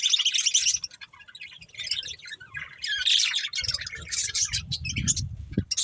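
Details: Pet budgies eating corn produce loud bursts of raspy chattering and chirps, followed by rustling and low handling noise under continued chirping.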